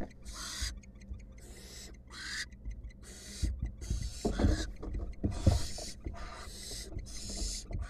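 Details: Wild female barn owl at a monitored nest box, in a possible attack on her mate or an intruder: loud raspy hissing screeches repeated about once a second, with knocking and scraping sounds.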